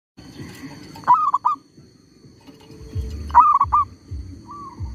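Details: Zebra dove used as a lure to trap wild birds, unfazed by a tree squirrel nearby. It gives two cooing phrases, each a sharp rising note followed by quick bubbling notes. A steady high whine and low rumbling run underneath.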